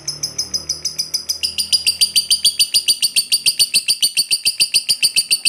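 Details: Lovebird, a fighter-type bird, giving its long chatter (ngekek panjang), used to provoke a lazy lovebird into singing; rapid, even series of high buzzy notes, about three per second, shifting pitch partway through.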